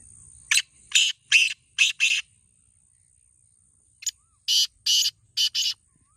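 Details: Black francolin, the kala teetar, giving two harsh, grating phrases of five rasping notes each, the second phrase starting about two seconds after the first. Quiet background.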